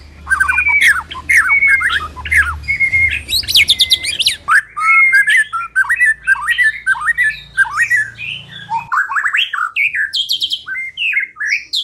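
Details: Energetic white-rumped shama singing, used as a lure recording to prompt birds to sing. A dense, fast stream of varied whistles, slurs and harsh chattering notes, with a faint low hum in the first half.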